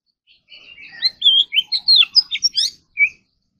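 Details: Morning practice singing of an Oriental magpie-robin in competition style: soft scratchy notes open into a quick string of loud, varied whistles and upward flicks, ending with one separate clear note.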